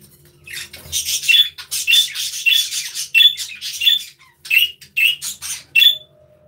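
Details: Several budgerigars chirping and playing in an aviary, giving a steady run of short scratchy, buzzy squawks, about two per second, some carrying a brief whistled tone, with a faint steady hum behind.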